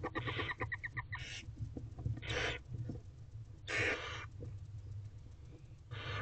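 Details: Five hungry barn owlet nestlings in a nest box on 14 April 2023 at 5:31 pm, waiting for their father to bring food: harsh, breathy hissing screeches about a second long, repeated with gaps, after some quick clucking notes.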